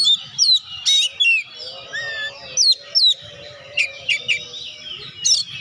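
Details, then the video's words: Energetic Oriental magpie-robin singing to spur reluctant birds into song; clear whistled phrases, quick downslurred chirps and a few harsh bursts, spaced by short pauses over a faint low hum. "BURUNG KACER GACOR.COCOK UNTUK PERANGSANG KACER YG MALAS BUNYI"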